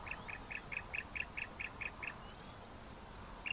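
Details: Bar-throated Apalis, from a pair whose male calls louder and lower: ten brisk evenly spaced chirps at about five per second, a pause, then one more, with constant background hiss.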